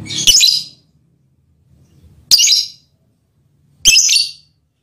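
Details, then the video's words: Lovebird mating call directed at the male partner: three loud, noisy, high-pitched squawks roughly every one and a half to two seconds, with faint low murmur beneath. "Lovebird's mating call and its effect on the male partner"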